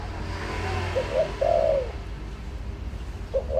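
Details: Spotted dove used as a lure, one cooing phrase of two quick coos and a long falling coo, then the start of another, over a low rumbling background.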